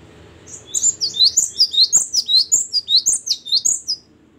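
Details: Great tit, called gelatik batu, singing loud and clear: a fast run of high, sharp two-note phrases, each note dropping in pitch, repeated steadily for about three and a half seconds, with faint clicks beneath.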